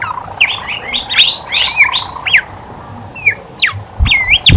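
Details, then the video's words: Horsfield's babbler in full voice, played to prompt reluctant birds: a quick string of swooping, bouncing whistles, a pause, then more separate slurred whistles, with low thumps at the end. "BIMOLI/KANCILAN EMAS GACOR COCOK BUAT PANCINGAN BIMOLI MALAS BUNYI"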